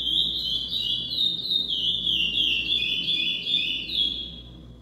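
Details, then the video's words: A chestnut-bellied seed finch (curió) sings a classic-style song: a steady, unbroken run of clear, high whistled notes sliding up and down, with no other sounds. "Curió Clássico"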